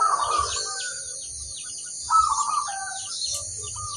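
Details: Zebra dove, a local crossbred bird, giving two short rolling coos, one fading into lower notes, while small birds chirp rapidly in the background.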